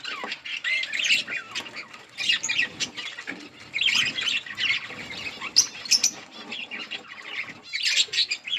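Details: Budgerigars chirping in a budgie colony, many birds twittering together in bursts of bright, rapid warbles and squeaky chirps that rise and fall every second or so.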